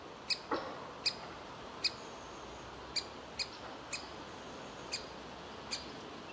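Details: Young woodpecker in a tree hollow asking to be fed while the parents want it gone; sharp high calls spaced irregularly, under one per second, over a soft hiss.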